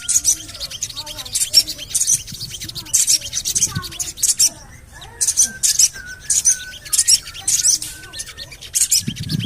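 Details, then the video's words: Javan cochoa calling as a lure to set birds singing: steady sequence of shrill, scratchy chirp bursts, about one each second, layered over soft twittering and short whistles from other birds. "CUIT...CUIT...CUIT PANGGILAN SOGON AGAR BUNYI"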